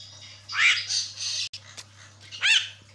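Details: Asian pied starling (jalak kebo), caged, used as a lure to set off a quiet bird; rasping noisy notes with a slurred rising whistle, a short gap, then another harsh burst, low hum beneath.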